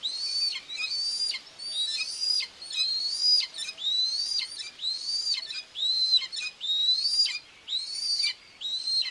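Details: Feeding time for two common buzzard chicks and their mother at a nest in Tiszalök, Hungary, 2 June 2024; roughly a dozen piercing arched whistles, repeated nearly once a second.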